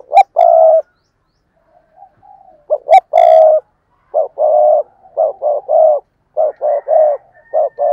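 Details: Decoy spotted dove in fierce calling and cooing, a string of deep, hollow coo notes delivered in uneven bursts, some clipped and some drawn out, repeating across eight seconds with nothing else audible.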